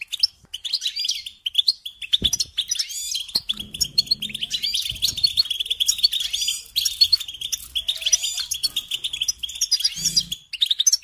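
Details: European goldfinch song used to teach young birds to sing: a dense, fast, liquid twittering of high chirps and trills running almost without pause, with a few soft low thumps in the background.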